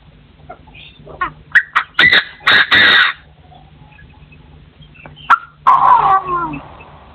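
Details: Partridge crowing in a forest, 2024: staccato harsh notes lead into long grating rasps, a pause, then a lower, wavering call near the end.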